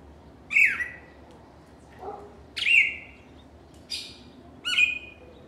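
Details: Singing cardinal giving four sharp, ringing phrases, each a bright downward-sliding note with a buzzy tail, separated by short pauses and one softer lower note.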